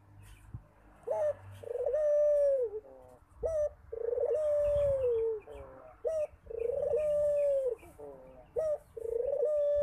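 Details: Barbary dove repeating its call often: a quick upward note followed by a sustained, slightly trilled coo that drops at the end, the pair recurring four times with soft faint ticks between.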